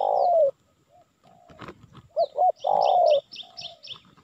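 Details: Spotted dove call played to attract wild birds. Long falling coos and a pair of short hooked notes, overlaid by a quick run of high, descending chirps from another bird.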